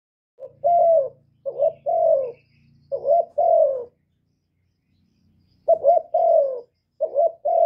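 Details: Spotted dove, a kept bird used to lure wild doves, giving a coo call: short two-part coos near 600, each a brief rising note then a longer falling note, in phrases with pauses, some low hum beneath.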